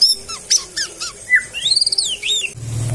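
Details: Captive white-rumped shama from a breeder's aviary singing a rich varied medley of sharp high notes, descending whistles and looping rising-falling slurs, ending in a burst of low rumbling noise.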